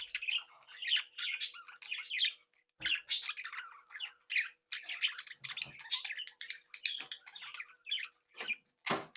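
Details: Captive breeding flock of Australian budgerigars chattering cheerfully: dense, scratchy warbling phrases and high chirps, with a short pause near three seconds and some clicking knocks.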